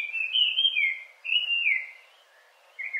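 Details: Melodious Laughing-thrush (Hwamei) in Hawaii giving clear, loud whistled song phrases. Two long wavering warbles are separated by a short gap, and a brief third phrase begins near the end.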